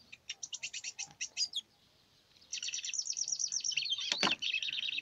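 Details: Two bursts of Lined seedeater song over faint background hiss: first a sequence of quick, separate high clicking notes, then a continuous dense, buzzy trill with a sharp loud note near the end.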